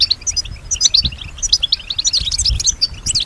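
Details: European goldfinch, a pet bird said to copy the sounds around it; quick, liquid chirps and bubbly high notes strung together in a rapid, lively twitter with no pauses.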